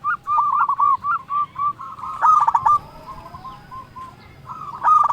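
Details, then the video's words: Zebra dove (perkutut) song used to call rivals: a steady string of short cooing notes, a louder rough cluster in the middle, quieter spaced notes, and a strong final phrase. "Perkutut lokal gacor Ahlinya memanggil lawan bikin burung perkutut gacor nyaut"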